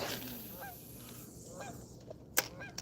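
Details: Canada goose honks in the distance while pike fishing; the speaker notes their arrival means winter is coming. Short upslurred notes about once a second, half-buried in steady outdoor hiss with a sharp knock near the end.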